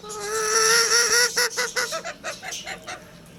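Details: Lohmann Brown rooster giving a crow: a sustained buzzy held note for over a second, then a tumbling series of short descending staccato pulses fading out.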